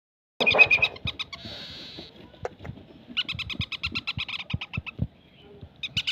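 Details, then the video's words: Young parakeet chick calling: bursts of rapid, high, scratchy chirps repeated in fast pulses, with pauses, over soft background thumps and rustling. "ছোট বাচ্চা টিয়া পাখি"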